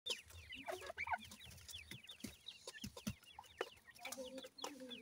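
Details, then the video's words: Iranian partridge (irani teetar) parent feeding its brown chicks: a dense chorus of short, high, downward-slurred peeps repeated rapidly from many chicks, with lower soft clucking notes and a few sharp clicks. "irani teetar k bhuray bachay, teter chicks feed"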